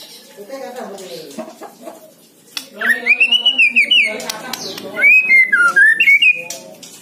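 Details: White-rumped shama song played to prompt lazy caged shamas into singing: clear whistled phrases near the middle and end, rising then falling and warbling, after a stretch of lower harmonic chatter and clicks.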